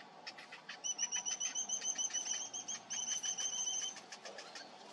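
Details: Cinnamon bittern chicks, seven days old, at feeding time: bursts of sharp, high, whistled peeps repeated quickly, a loud run in the middle and quieter calls at the start and end.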